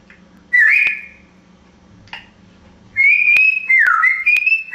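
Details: African grey parrot kept as a pet, known for talking and mimicking dogs and laughter; a short rising whistle, a brief click-like note, then a long wavering whistle dipping and climbing again, over soft room hum.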